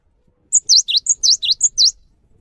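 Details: Short burst of cinereous tit song used to get other tits singing: four quick repetitions of a high thin note plus a swooping whistle, clean against near silence.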